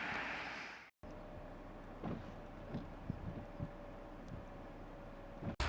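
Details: Low vehicle rumble with a few knocks and clunks, after a brief burst of broadband noise and a cut to silence; no animal calls.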